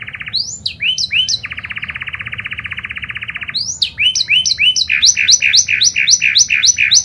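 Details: Panda canary in energetic song, intended as a lure for other canaries: quick swooping notes give way to a two-second even rattle, then steady series of clipped upslurred chirps repeated several times per second.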